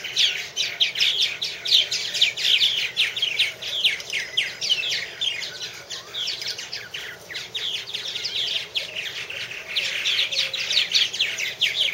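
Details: Busy chatter of purple martins at a nest house in 2014: continuous overlapping chirps, creaky warbles and gurgles from several birds, swelling and easing in waves without a break.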